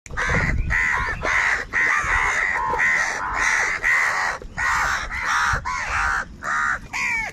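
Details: Crows calling loudly, described as angry and fighting for food: a near-continuous chorus of harsh, overlapping caws, each a drawn-out arched note repeated roughly twice a second, with brief gaps and low rumbling background noise.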